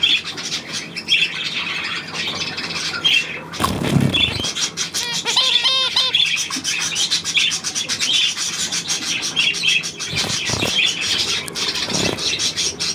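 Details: Budgerigars, 9 February 2024: steady warbling chatter of many birds, high twittering and harsh squawks layered together, one rapid series of rising chirps around the middle, and a low thump near four seconds.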